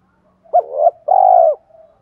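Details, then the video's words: A lure spotted dove with a 'thổ' voice gives one coo phrase: a quick clipped double note, a pause, then a long, full, level coo that fades into soft murmurs. "Chim Cu Mồi Thúc bổ nhanh gáy"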